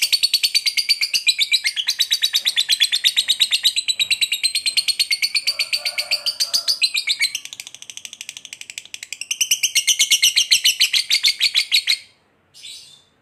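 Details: Ngekek panjang of a fighter lovebird, its long trill used to provoke a rival into attacking; a dense, rapid chattering run of sharp notes lasting some twelve seconds, dipping briefly midway, then ending abruptly with a short final squeak.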